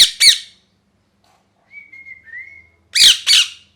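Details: Harsh, grating shrieks from a molting pet parrot, two sharp screeches, then a quiet, wavering whistle, then another pair of loud screeches.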